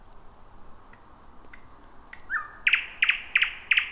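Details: Thrush nightingale in full song at night among dense bushes, the first of 2026: three high whistles sweeping down, a short low note, then a rapid series of sharp, loud clicking strokes.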